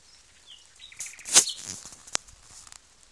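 A nightingale's song fragment: a few thin high whistles, then sharp, dry clicks and a harsh burst, delivered irregularly over about three seconds against a quiet background.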